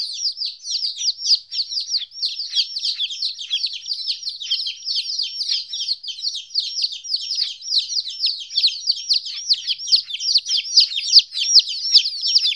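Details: Chicks 14 days old, first separated from their mother, keep up a relentless chorus of high falling peeps, roughly two to three a second, many voices overlapping throughout.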